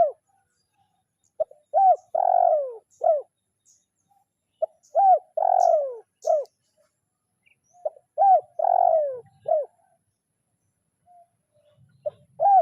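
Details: Spotted dove, a kuk 0-1 style decoy bird calling a rival, repeats its coo phrase about every three seconds: short note, arched coo, long descending coo, clipped ending, with faint high chirps from other birds.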